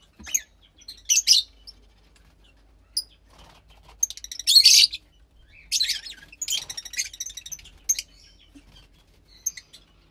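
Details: Fischer's lovebird chick about 15 days old, from a lutino and pastel blue pair, giving scattered shrill chirps and several loud, buzzy, rasping bursts, with faint low background hum.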